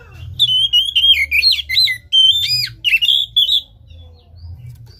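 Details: Oriental magpie-robin singing a stimulating lure phrase for a silent caged bird: piercing, ringing whistles bending sharply up and down in quick succession, with faint background hum.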